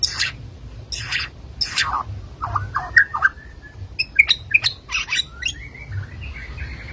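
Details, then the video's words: White-rumped shama from Medan singing: sharp high downswept notes and clicks alternating with lower rich whistles and a final warbled trill, over a steady low background hum. "Burung murai batu medan"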